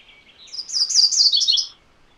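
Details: One high, rapid song from a MacGillivray's warbler: tightly packed chipping notes rising in loudness to a slurred, rolling finish after about a second, then silence.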